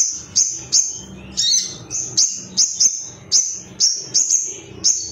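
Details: Agitated male ruby-cheeked sunbird seeking rivals: sharp high 'tsit' notes repeated about twice a second, each a short piercing chip, some doubled; faint low hum behind.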